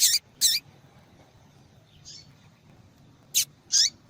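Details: Female double-collared seedeater calling repeatedly to stimulate males: two quick harsh chips, a faint soft note, then a chip and a high buzzy call near the end.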